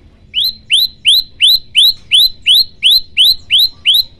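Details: Male olive-backed tailorbird singing actively, recorded on a Samsung Galaxy M11 phone: loud, sharply rising whistled notes, each sweeping upward and then holding briefly, repeated steadily about three times a second. Faint low background rumble.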